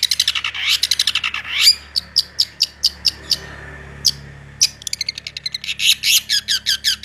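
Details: Long-tailed shrike singing a fast 'roll tembak' with a full repertoire: sweeping whistles, then rapid clipped high chirps in bursts, over a steady low hum.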